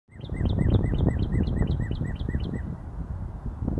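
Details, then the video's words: Northern cardinal singing a fast run of about ten clear, down-slurred whistled notes, roughly four per second, over a steady low rumble of wind or distant traffic. "Red Cardinal Singing"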